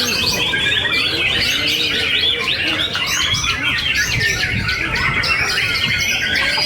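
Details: White-rumped shama, a young long-tailed contest bird, singing at a night songbird competition in Surabaya where it won first place in the main class; dense, varied whistled and chattering phrases overlap with other competing birds and crowd noise.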